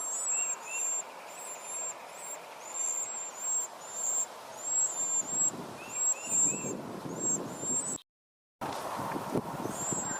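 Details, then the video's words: Mother bird feeding her hungry young: high, thin squealing calls in pulsed bursts, brief lower chirps, then a sudden break and low rustling noise before the shrill begging resumes. "Birds mother feeding their hungry babies"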